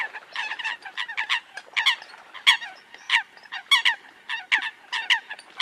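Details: Eurasian coot: paired and tripled nasal honking notes in uneven clusters, fairly loud, with quieter overlapping calls in between.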